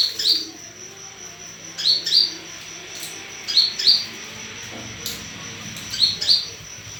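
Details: Lure call of an olive-backed sunbird meant to draw replies: sharp high chirps in closely spaced pairs, repeated about every two seconds, four pairs in all, with a faint low hum behind.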